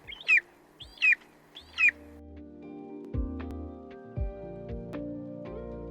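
Golden Eagle giving three sharp, high, down-slurred yelps about one per second, followed by soft background music.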